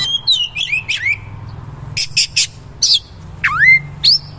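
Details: Oriental magpie-robin (kacer) in full gacor song with rough material and shooting rolls: descending whistled slurs, a cluster of harsh buzzy notes, then deep swooping whistles dipping low and rising again; faint hum underneath.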